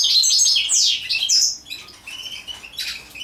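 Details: European goldfinch during mating: a loud burst of fast, jangling high twitter in the first second and a half, followed by softer scattered chirps.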